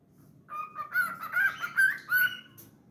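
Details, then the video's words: Pet cockatiel singing a short phrase of four or five clear whistled notes, slightly wavering, with brief gaps between them. "Singing Moments"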